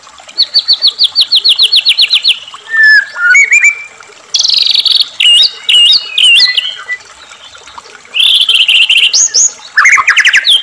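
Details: Singing white-rumped shama (murai batu), played as a lure for captive birds: a rapid series of identical high chirps, then varied whistled phrases, sharp buzzy notes and bright rising trills, with a constant faint hiss behind.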